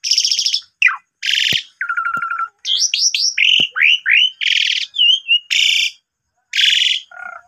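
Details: Asian pied starling singing continuously as a lure for other starlings, with canary phrases mixed in: harsh buzzy bursts alternating with a rattle and a sequence of curved whistled notes, ending in a low trill.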